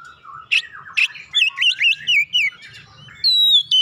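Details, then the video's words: Oriental magpie-robin in stimulating gacor song: harsh short bursts, then a string of bouncing whistled notes and a long pure descending whistle near the end. "hitungan detik merangsang Kacer malas bunyi langsung gacor"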